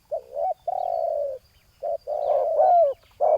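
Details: Spotted dove cooing during ground-level decoy luring of a wild rival: deep, hoarse coos in uneven bursts, one long drawn-out note followed by shorter notes, with a brief rising inflection near the end.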